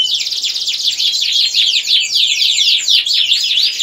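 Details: Domestic canary in vigorous song used to encourage mating: dense high trilling mixed with bouncing downslurred notes, uninterrupted and loud throughout.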